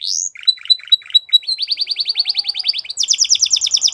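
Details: Canary song used for training young canaries: a high rising whistle, then short repeated chips, a rapid buzzy trill of fast notes, and a higher shimmering trill near the end.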